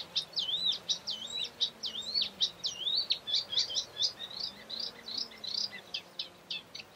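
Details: Eurasian reed warbler singing in Doñana National Park, Spain, April 2011: a continuous chattering run of rapid scratchy and whistled notes, sliding up and down, with faint low background hum.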